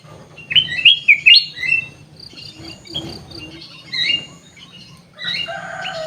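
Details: In an aviary, a sooty-headed bulbul gives a quick string of bright, bubbling whistled notes near the start. Scattered softer chirps from other birds follow, with a steady high insect hiss underneath.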